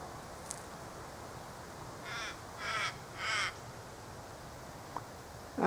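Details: Australian ravens calling in the background near a sugar-syrup feeder in a native cypress tree where honeyeaters feed: three drawn-out, harsh, wailing caws about a second apart, over a low background hiss with a couple of faint clicks.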